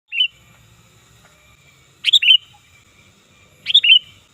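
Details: Sooty-headed bulbul, loud call used to lure birds and as a tutor for other birds: short bright whistled phrases of two or three quick notes, repeated roughly every one and a half to two seconds, with a faint low background rumble.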